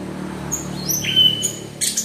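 Orange-headed thrush song: a quick run of high, thin whistled notes and slurred phrases, some rising, over a steady low hum.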